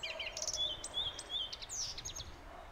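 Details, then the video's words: A common redstart sings a quick phrase of high, thin whistles and short chirpy notes, with a slight outdoor hiss behind it. "обыкновенная горихвостка"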